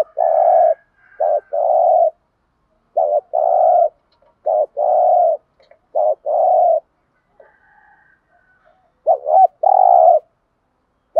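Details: Spotted dove kept as a lure to excite other doves. It coos in quick succession: about six low phrases, each a short warbled note leading into a longer even coo. Faint higher notes from another bird can be heard.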